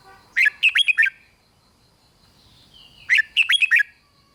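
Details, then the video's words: Red-whiskered bulbul in 'rik' style song to excite other bulbuls: two quick phrases of five bright, warbling notes each, about two and a half seconds apart, with a faint sliding whistle between them. "เสียงนกกรงหัวจุก ร้อง ริก ยั้วให้นกคึกดีมาก"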